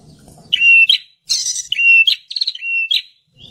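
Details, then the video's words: Prinia song, used as a lure for wild birds: short, loud phrases that mix a flat whistled note with buzzy trills and sharp chirps. They come in quick bursts with brief gaps, over faint low background noise. "suara burunh perenjak (si burung imut bersuara keras)"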